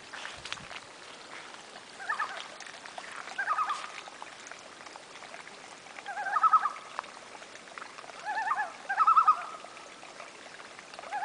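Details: A family of common loons on a northern Saskatchewan lake in August, north of La Ronge; a run of wavering tremolo calls repeated every couple of seconds, growing louder midway, with quiet water-like background.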